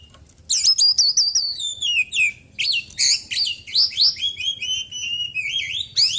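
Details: ['Oriental magpie-robin, white-breasted form, caged and in post-moult daily care, pours out loud, nearly unbroken high whistled phrases with quick swoops and trills full of small-bird mimicry.']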